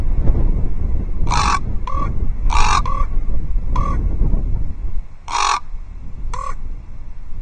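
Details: Common raven at Loch Arkaig Osprey Nest Two, 12 October 2023, warning off a second raven with strange clucking: harsh croaks, each often followed by a short clipped knock, in several uneven pairs over low wind rumble.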